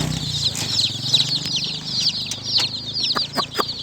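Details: A crowd of yellow baby chicks peeps nonstop, high thin chirps overlapping into a shrill chorus. A low background hum and a few sharp clicks come near the end.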